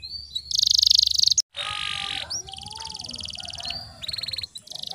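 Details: Canary song played to draw out song from silent canaries: a loud high trill, a short break, then buzzy rolls with softer lower notes beneath, and closing bursts of fast pulses.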